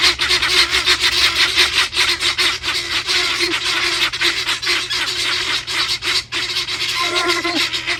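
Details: Helmeted guineafowl, several birds, screaming together: dense, harsh, grating cries overlap in a continuous loud chorus, with rapid raspy pulses and no clear pauses across eight seconds.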